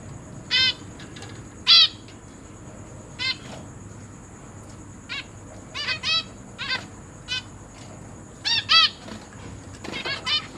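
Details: Zebra finch chicks, newly hatched and recently fledged, give short, harsh, buzzy begging calls in quick bursts about every second as their parents feed them, over a steady background hiss.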